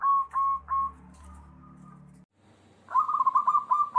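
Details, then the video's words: Zebra doves: combined calls meant to lure other doves into calling. Three soft mellow coos and a drawn-out note, then a rapid staccato rolling series of cooing notes, over a low hum. "suara unik perkutut"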